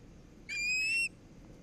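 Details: At a nest in Charlo, Montana, in August 2018, an osprey gives one clear whistled note, slightly rising and lasting just over half a second, against a quiet background.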